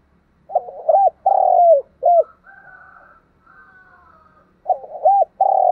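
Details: Repeated 'thúc gù' cooing of a spotted dove with a 'giọng đồng' voice. Two phrases of low double arched coos and a long burring note. Faint higher whistled tones from another bird fill the gap between them.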